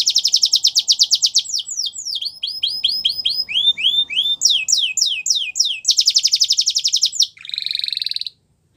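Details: Canary singing varied tours: a rapid high trill, rising and falling chirps in quick series, another fast rattle and a short buzzy phrase before stopping, against quiet background.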